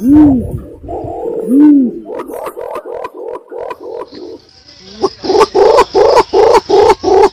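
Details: Imperial pigeon lure call: two deep arched coos, then quick series of short throbbing pulses, a brief lull, and a louder regular run of pulsed notes about three per second.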